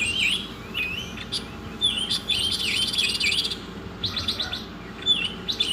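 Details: Rich masteran song of an Oriental magpie-robin: looping whistled slurs, a grating rattle packed with swooping notes, then staccato high chirps and a final upslurred whistle over low background hum.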